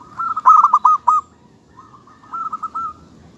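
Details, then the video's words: A loud run of quick, hooked cooing notes from a local zebra dove ends abruptly, followed after a pause by a softer, more distant answering series. "suara kutut lokal"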